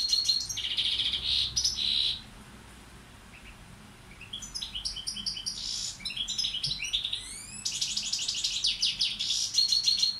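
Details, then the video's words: Tutor European goldfinch, balcanica subspecies: a ringing trilled phrase, a two-second hush, then fast tinkling twitters with rising slurred notes and a final bright rush of chirps. "Carduelis balcanica učitelj... Izbrojite mu ture"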